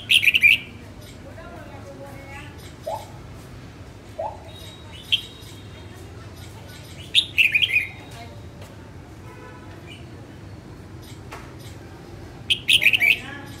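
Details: Female red-whiskered bulbul practising its song: bright warbled bursts come every few seconds, with softer lower notes and faint chirps between them.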